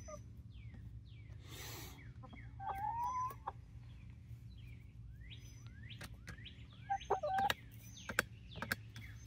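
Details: Flock of 19-week-old Barred Rock and Gold Star chickens in Grimes County, Texas: sparse short mid-pitched calls in two brief bursts, with high wild-bird chirps, clicks and a rustling noise in between.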